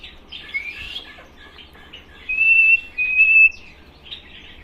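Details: The male of a pet cockatiel pair calls: a rising chirp, then two clear, level whistles of about half a second each, with softer chatter between and faint background noise.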